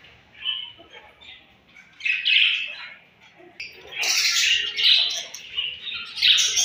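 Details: Budgerigars at morning feeding time: soft scattered chirps at first, then loud bursts of harsh, buzzy chatter rising sharply in the second half.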